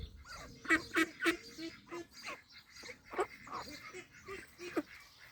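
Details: Pond ducks in Wales, 23/5/26, give loud, irregular quacks, some single and some in quick pairs, with quieter nasal calls between the louder ones.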